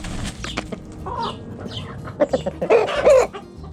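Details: Chickens pecking and scratching with hens clucking; scattered soft clucks give way to a loud burst of rough, bunched clucks and squawks, over a low steady background hum.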